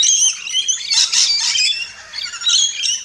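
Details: Several rainbow lorikeets at a backyard feeder in Australia, chattering in a steady stream of shrill, buzzy, high squawks and chirps.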